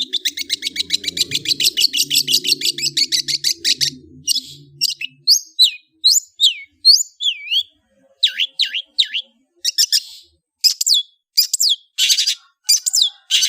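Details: Long-tailed shrike in kicau ocehan song. A fast run of repeated high chips with faint low background noise shifts to slower, varied whistled notes, downward slurs and harsh scratchy bursts in irregular phrases.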